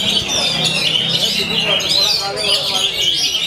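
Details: Oriental magpie-robin (kacer) singing in the nonstop 'main dur' manner, a short burst of bright whistled notes and quick chatter, accompanied by a low droning voice-like sound beneath.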